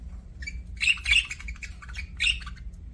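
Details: Pet budgerigar giving scratchy, buzzy chirps in two bursts, the middle one busiest, over a soft low hum.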